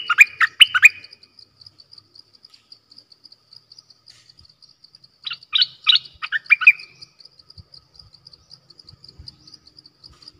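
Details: Caged decoy bulbul recorded 18 December 2021, giving two short bursts of bright, quickly modulated whistled notes, one at the start and one around five seconds in, over steady faint high ticking insects.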